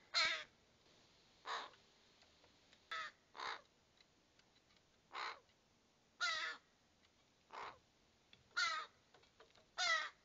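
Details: Raven fledglings calling repeatedly with coarse, grating caws at irregular intervals of one to two seconds, some doubled, across about ten seconds. Nothing else is heard.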